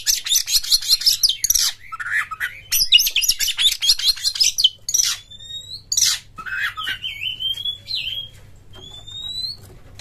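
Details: Oriental magpie-robin song used as masteran for kacer training: fast high chatter in the first half, then sparser clear whistles that rise and sweep, with brief gaps between notes.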